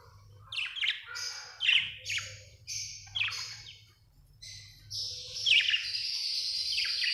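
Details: A budgie from Australia chirping happily: rapid squeaky chirps and warbles, ending in a longer continuous buzzy chatter, over a faint low hum.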